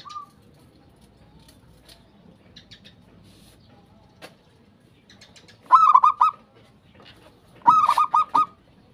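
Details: Zebra dove singing in the manggung style, played as a lure for other doves: long quiet stretches broken by two short bursts of fast, clipped notes, with faint chirps in the background.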